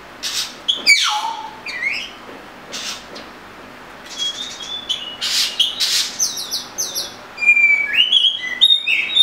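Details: Oriental magpie-robin singing a varied phrase of clear whistles, some sliding down sharply, others short and high, with fast chirps and a string of bright, level notes near the end.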